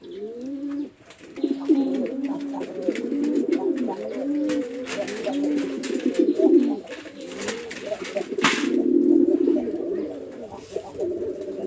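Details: Domestic pigeons kept at a house farm in rural Chittagong District, Bangladesh, fighting male against female: overlapping deep rolling coos throughout, with clicks and rustling, and a sharp burst near the middle.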